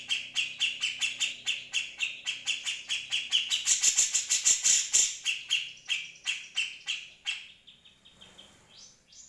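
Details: Grey-cheeked Bulbul song used for training other birds: a fast run of short chirpy notes about four per second, getting louder and brighter mid-phrase, then fading into softer scattered notes.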